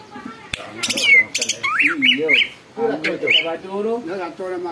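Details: Greater green leafbird singing hard, said to set other birds singing and worked up; loud harsh squawking bursts mixed with short upslurred whistles, while people talk underneath.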